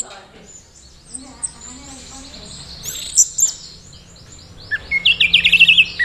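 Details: Orange-headed thrush from Mojokerto, displaying teler for courtship with a young handler: faint high warbling at first, then a loud, fast burst of repeated sharp chirps near the end.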